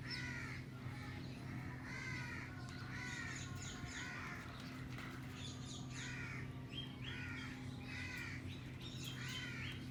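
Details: Caged Alexandrine parakeet playing on a cage with a green ringneck: a long run of loud, raspy, rhythmic squawks repeated roughly every half second to second, some higher and sharper, with a constant low hum beneath.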